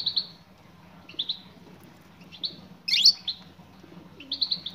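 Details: Female European goldfinch calling to a male: paired high chirps repeated about once a second, a louder sweeping burst near the middle, and a quick triple tweet at the close.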